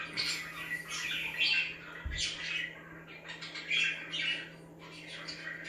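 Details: Budgies chirping to liven up other budgies; loud squawky chirps and chattering warbles repeat in uneven bursts about every second, with a brief low thump and background hum.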